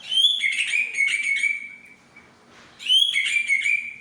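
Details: Two rich song phrases from a Medan-variety white-rumped shama unloading its mimicked repertoire: sparkling high notes lead into a steady, held whistle, with a brief pause and a soft rustle between phrases.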